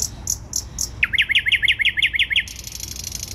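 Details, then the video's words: Thrush nightingale singing in Warsaw city centre, 12 May 2020: four high clicks, then a rapid series of about ten rising chopped notes, ending in a buzzy rattle, low city hum behind. "Słowik Rdzawy śpiewa w centrum Warszawy"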